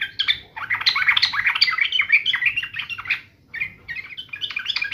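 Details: Yellow-vented bulbul, agitated and ready to fight, chattering almost continuously in loud, babbling, squeaky phrases with one brief pause.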